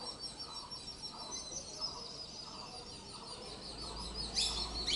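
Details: Parent Indian grey hornbill feeding its offspring, giving a series of short, husky mid-pitched notes at an uneven pace, with constant high-pitched chirps behind and a sharp burst near the end.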